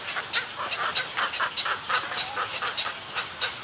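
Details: Snowy egrets calling at a colony: a string of short, harsh, broadband squawks at about three to four per second, some carrying a nasal tonal core. There are no other clear sounds.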